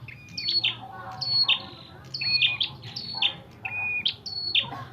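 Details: Red-headed prinia in a fight, calling in quick clusters of sharp chirps joined to short level whistles, roughly once per second, low background hum.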